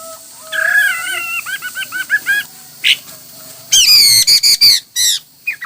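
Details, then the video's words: Hwamei performing a many-styled song: a sliding whistle leads into a string of quick looping notes, a lone short note, then loud, ringing, harmonic-rich notes repeated rapidly. "Coob quaj ntaus yam (Hoạ mi hót nhiều kiểu hay)"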